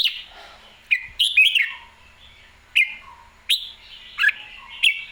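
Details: Red-whiskered bulbul in excited, clear song: short loud whistled phrases come roughly every second, some with falling slurs, separated by quieter warbles. Faint low knocks are audible.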